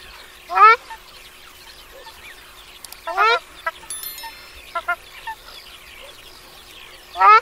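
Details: Ruddy shelduck giving loud nasal honking calls, each a short rising burst of stacked notes, repeated at intervals of about two to three seconds, with fainter softer calls between and a brief ringing tone.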